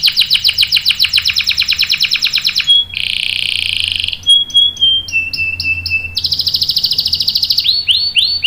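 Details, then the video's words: A canary sings fast, varied phrases: rapid buzzy trills, a long steady whistled note, then clipped repeated chirps and rolling high trills, all quick and bright. "PANCINGAN KENARI GACOR cuit cuit bikin NYAUT ikut BUNYI NGEROL PANJANG ¦ CANARY SINGING"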